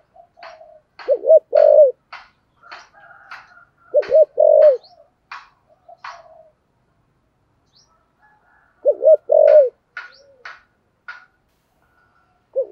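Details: Spotted dove 'thúc gù' cooing in the deep 'giọng thổ sấm' voice: three low wobbling-then-held coo phrases, set among many sharp, rapid chirps from other small birds.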